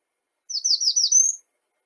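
An American Redstart sings a quick, very high, thin phrase of about five notes in under a second, ending on a sharp upslurred note; nothing else is heard.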